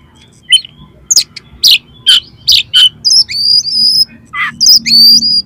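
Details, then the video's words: Oriental magpie-robin song full of harsh fill material, meant to raise another magpie-robin's temper: a scratchy opening note, sharp rasping bursts, then high thin whistled notes held steadily, with a faint low hum underneath. "SUARA KACER FULL ISIAN MATERI KASAR-KASAR !! COCOK UNTUK MENAIKAN EMOSI KACER"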